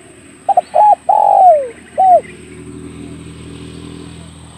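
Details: Spotted dove lure call for hunting, one cooing phrase of two brief notes, a drawn-out descending coo and a short closing note, followed by soft background hiss.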